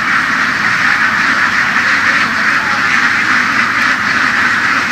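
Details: Farmed laying ducks kept on the fields in western Vietnam, many birds quacking together in a thick unbroken chorus, harsh overlapping calls blending into a constant rasping roar.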